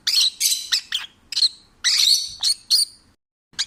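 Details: A rescued pet rosy-faced (peach-faced) lovebird sings while relaxed and happy: harsh, high chirps and squeaky bursts, a dozen notes in quick uneven runs with brief pauses.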